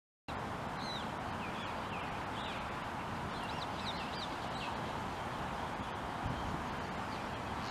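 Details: Chestnut munias flying into a tree in Hawaii give thin, high chirps, overlapping from several birds and repeated every second or so, over a steady low roar of wind.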